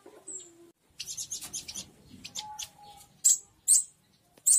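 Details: Local Oriental white-eye giving a fierce call used to lure wild white-eyes in: a rapid run of thin, high chattering notes, then three sharp, loud high bursts, with a faint low steady tone in between.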